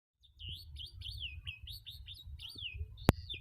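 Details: Caged starling singing; a rapid string of whistled, looping notes rising and falling, with low rumbling background noise and a sharp click near the end.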